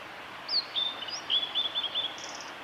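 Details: Male blue-and-white flycatcher singing on a forest road at Lake Miyagase, Japan, on 25 April 2016: a high, clear whistled phrase of sliding notes, then a run of short repeated notes and a brief buzzy trill at the end.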